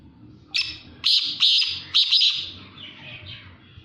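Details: Black francolin giving a harsh, rasping call of several clipped buzzy notes in quick succession, then a fading drawn-out grating phrase, over a low background rumble.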